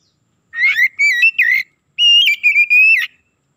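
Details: Oriental magpie-robin singing as a lure to excite other magpie-robins: two clean bursts of whistling, each a chain of ringing notes ending in an upward flick, against near silence.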